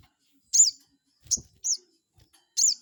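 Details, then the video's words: Crested jay call used as a lure to anger rival birds and make them respond. Four high, clipped notes with a quick down-slurred shape, spaced roughly half a second to a second apart. "pancingan burung sogon bikin emosi lawan,,bikin lawan langsung nyaut"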